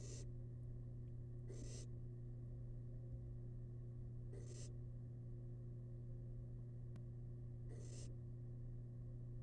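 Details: Four rasping hiss bursts, irregularly spaced, from a tiny wild barn owl chick eating rabbit leftovers inside a monitored nest box, with steady low hum and a sharp click midway.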